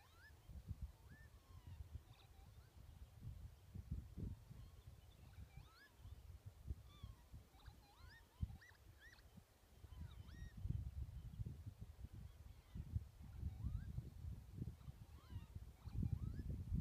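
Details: Unidentified birds in the Highlands of Scotland give thin, rising whistled calls that repeat in quick, overlapping bursts over heavy wind rumble.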